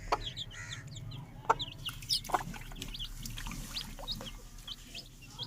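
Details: Home-kept Aseel chicken chicks, newly hatched, fill the air with rapid, thin, downward-sliding peeps from several chicks at once, with a few loud clicks and knocks over a low background rumble.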